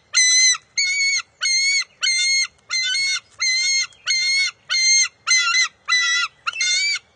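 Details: Young bald eagle at the nest, June 23, 2021, keeping a fish from its mother: eleven shrill, evenly spaced harmonic squeals in quick, steady succession, with no other sounds.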